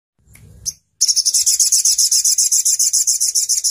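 Crimson sunbird giving a run of very high, sharp, buzzy notes, about six per second and steady in pitch, after a brief low thump.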